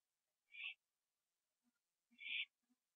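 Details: Owl on a porch near midnight, 21 September 2011, finishing a gopher; two rough hissing screeches with a few soft low chirps and clicks between and after them.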